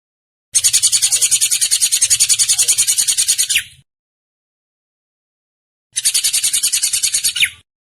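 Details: Drongo producing long, harsh buzzy rattles made of fast regular pulses, the first over three seconds long, each closing with a downward sweeping note.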